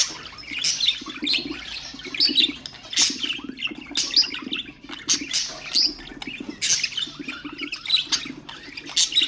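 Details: Budgerigars, pet ornamental birds, in a recording meant to stimulate other birds: dense, overlapping warbled chirps and sharp clicks in quick succession, with bright high twitters every second or so over a low steady hum.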